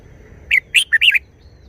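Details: Red-whiskered bulbul song, a wild-style phrase showing its repertoire: one short burst of four quick whistled notes, bright and slurred, mostly falling, over quiet background.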